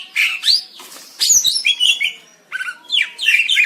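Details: Greater green leafbird song, a varied run of scratchy, warbled phrases with quick rising and falling squeaky notes, broken by short gaps.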